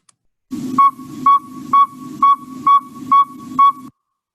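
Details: Adult Northern Saw-whet Owl calling at night in the woods: seven evenly spaced, mellow whistled toots about two per second, like a truck backing up, over a low hum; they can keep this up pretty much all night.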